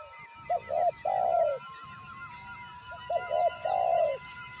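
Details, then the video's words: Calling spotted dove used for trapping, having seen a wild bird: two matching phrases of low coos, two quick short notes then a long swelling note, over faint background hum and a thin continuous tone. "pikat tekukur penguku melihat BL"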